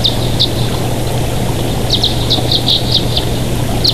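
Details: Bald eagles at their Big Bear Valley nest on a live nature camera, 24 June 2023 at 07:21 in the morning; quick high chirps come in bursts, some closely paired, above a constant low mechanical hum.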